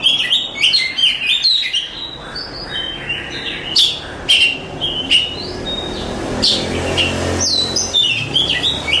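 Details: Oriental magpie-robin contest champion used for tutoring, singing varied whistles and sharp chips against steady low background hum, with notes spaced irregularly.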